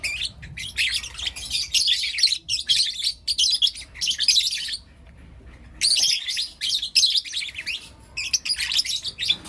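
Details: Four young lutino lovebirds chirping in the morning, kept as pets: rapid high scratchy twittering in clustered bursts, a near-silent pause around five seconds, then busy chattering resumes.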